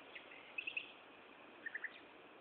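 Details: Nightingale song from Gaasperzoom, 16 May 2012, afternoon: two brief triplets of sharp repeated notes, the second pitched lower, against steady background noise.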